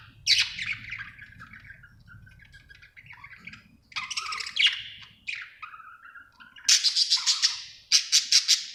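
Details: Happy budgerigar warbling with varied chirps, low buzzy notes and soft chatter, ending in bursts of sharp, rapid clicking chirps.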